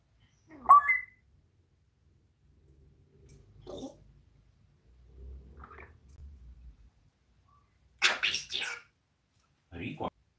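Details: Pet parrot known for swearing, talking with its owner during a live stream indoors; scattered calls: a sharp rising squawk, then softer brief calls, a loud harsh burst near the end and a final shorter squawk, with quiet murmuring between.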